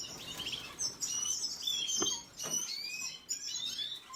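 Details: Red siskin song: high, thin twittering with quick rising and falling whistled notes and short trills, broken by a sharp click midway and brief pauses.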